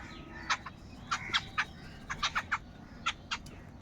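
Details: Crowd of crows squabbling over food: bursts of short, sharp, harsh call notes in quick clusters from several birds, clipped and irregular, over a low steady hum.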